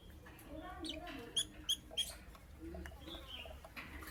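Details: Lovebird calling in the morning, kept as a pet: three piercing, high chirps in quick succession, evenly spaced, then softer scratchy chatter and faint rustling against low background noise.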